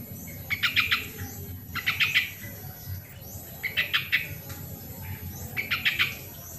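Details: Sooty-headed bulbul singing, recorded for prompting quiet birds to sing: four evenly spaced bursts of fast, rattling pulsed notes, roughly every one and a half seconds.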